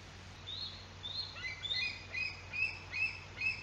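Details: Female bald eagle at the nest in Decorah, Iowa; a series of thin, high whistled chirps, each a short two-part note, repeated roughly every half second and rising slightly in intensity, over faint low hum.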